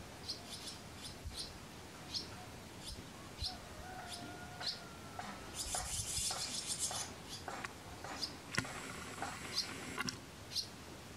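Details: Barn swallow nest with nestlings near Kırcaali, Bulgaria. Short, thin high chirps repeat every half second or so throughout, with a brief hissing burst near the middle and a faint tonal whistle in the background.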